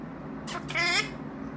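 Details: Pet blue-crowned conure indoors while its owner asks for a kiss; a short harsh squawk followed by a brief buzzy, slightly wavering call, under half a second each, over low room hum.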